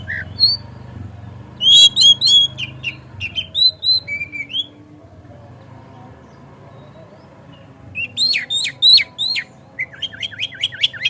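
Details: White-rumped shama (kacer) song used to provoke a kacer into singing and opening its tail: two bursts of quick, sharp repeated whistled notes separated by a quiet gap, over a faint low hum.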